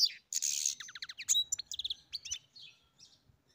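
A European goldfinch sings a quick, tinkling jumble of high twitters, buzzy trills and liquid chirps, all run together without pause.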